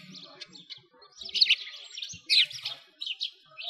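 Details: Wintertime sparrows by a frozen lake in Moscow's Bratislavsky Park, chattering in busy clusters of high, clipped tweets, with faint low rumbling and scuffing noise underneath.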